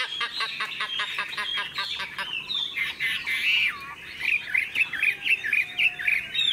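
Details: Chinese hwamei kept caged and tame, singing in the tail-flicking laughingthrush style: a fast run of sharp repeated notes, then loud looping whistles and buzzy slurred phrases repeated in quick bursts.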